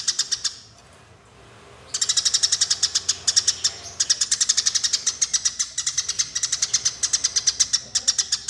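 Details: Eurasian tree sparrows fighting: a brief chatter, a second of near silence, then an unbroken stream of quick, harsh, high-pitched chirps that keeps going. Recording offered as a master for training songbirds.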